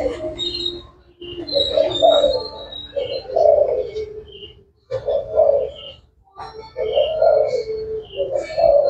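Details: Spotted dove, black Thai type, described as cooing from morning to night: deep, throaty coo phrases in groups separated by short silences, with higher chirps and whistles from other birds behind.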